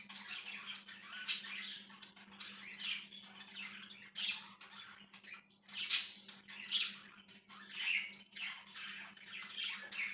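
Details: Pet budgerigar, 1/6/2023, keeping up a long run of scratchy chattering bursts with occasional high squeaks every few seconds and brief pauses, over a steady electrical hum.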